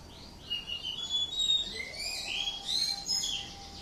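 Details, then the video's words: Quiet ngatrok singing of a greater green leafbird from Indonesia, a continuous stream of high, slurred whistles that glide up and down with little pause, over faint background noise. "Cucak ijo Indonesia ngatrok"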